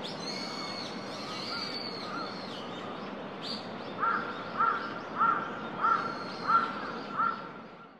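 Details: Eurasian coot at Ueno Shinobazu Pond, Japan, on 10 December 2021: six short, clipped mid-pitched notes given evenly about every two-thirds of a second in the second half, after high thin whistles from other birds and steady background hum.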